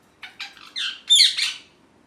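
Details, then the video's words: Pet ringneck parrot indoors letting out a quick run of harsh, rough squawks that grow louder and end in a shrill screech, after a person repeats "me too." "Parrot Chirping Sounds"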